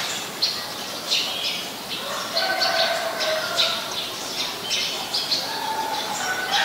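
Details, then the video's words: Eurasian tree sparrow, Passer montanus, Ubon Ratchathani, Thailand, May 2020: lively series of sharp, high, rasping chirps repeated almost continuously, some doubled, over constant background hiss and a few lower drawn-out tones. "นกกระจอกบ้าน : Eurasian Tree Sparrow"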